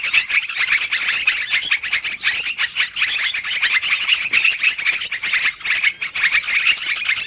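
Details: Long, noisy lure recording of yellow-vented bulbuls used for trapping: constant overlapping chirps and twitters from many birds, loud and even throughout.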